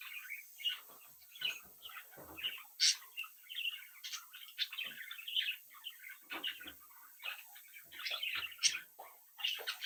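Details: Young captive-bred budgerigars playing and interacting in a home flock: busy overlapping chirps, warbles and scratchy chatter, with brief louder squeaks scattered throughout, several birds calling at once.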